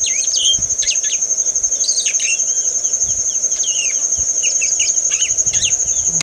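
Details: A male yellow-rumped marshbird (Pseudoleistes guirahuro) sings from a post, a rambling song of liquid whistles, slurred upward notes and chatters, over a steady high-pitched insect drone.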